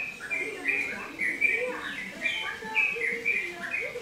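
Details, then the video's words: Yellow-vented bulbul (trucukan, trotokan) in full, busy song: quick liquid whistled notes tumbling over one another in short bursts, with lower gurgling notes mixed in. "Burung trucukan/ trotokan gacor"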